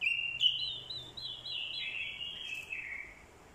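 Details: Orange-headed thrush decoy bird in fighting song, provoked by a female's call. A sharp note, then a flowing series of wavering whistled phrases that slide gradually lower and fade toward the end.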